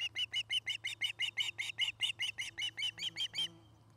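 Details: Nest camera recording from Charlo, Montana, 2018, of an osprey at its nest: a rapid run of about sixteen sharp, high chirps, several per second, stopping abruptly, with a constant low hum beneath.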